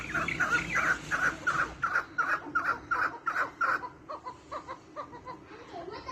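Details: Seventy-five captive maskati chukar partridges kept for breeding give a steady series of loud clucking chuck notes, about three per second, then softer, more scattered notes after the fourth second.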